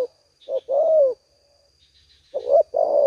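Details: Spotted dove in an oil palm area in the afternoon, two birds drawn in by a speaker lure, giving soft, low, hollow coos in two phrases, a short note then a longer wavering one, with a faint steady high whine.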